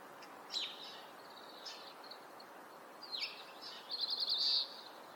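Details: Oriental greenfinch, breeding male, Hokkaido: scattered twittering notes and a downslurred chirp, ending in a rapid rattling trill that merges into a buzz, against light background noise.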